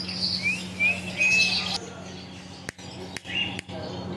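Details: Pet parrot billed as a nonstop talker gives three short rising whistled notes, then a longer flat whistle, followed by sharp clicks and a softer whistle against a steady low hum.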